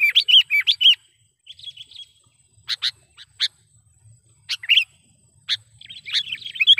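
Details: Trapping lure call of a sooty-headed bulbul: an opening flurry of loud, rolling, chirpy notes, then scattered sharp ticks and short chirps, ending with another lively chattering phrase.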